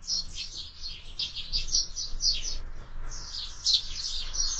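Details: Sparrows at a window feeder during an active midday feeding session. Many short, high, sharp chirps tumble over one another in irregular bursts, with a brief lull near the middle.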